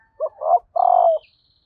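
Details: Female spotted dove calling to stimulate males: a close, clear coo with a short opening note, a fuller second note and a long, held, slightly pulsing hoot, with a faint high whistle from another bird afterward.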